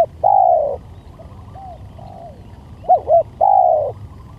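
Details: Spotted dove cooing as a lure: a long smooth coo, soft fading coos in the pause, then two short paired coos leading into another long steady coo, low rumble underneath.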